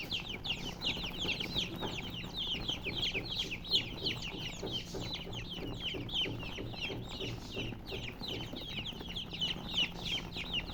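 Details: Chicks of the domestic hen chirping nonstop, a dense chorus of shrill falling peeps from several birds, with a faint low background hum.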